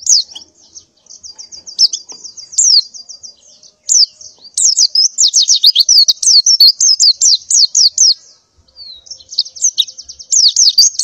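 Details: Female white-eye in breeding condition calling males and the flock to mate, in the morning: long bursts of fast, high twittering and sharp zigzag chirps with brief gaps.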